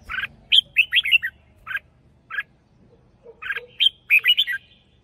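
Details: Caged red-whiskered bulbul singing a lure-style song of the hunting line with a doubled phrase: bursts of short, bright whistled notes, some sweeping up and down, in several quick groups separated by brief pauses, low hum underneath.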